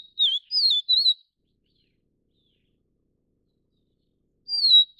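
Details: Feeding chicks, a Taiwanese Vivid niltava of subspecies vivida whistles a short run of three rising-and-falling high notes. After a gap of about three seconds another drawn-out whistle starts, against a silent background.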